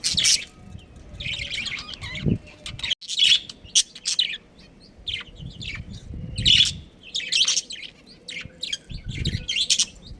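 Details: Budgerigar colony with a breeding pair gives bursts of high warbling chirps and scratchy tweets, several birds overlapping, separated by short lulls, with low knocking sounds in the background.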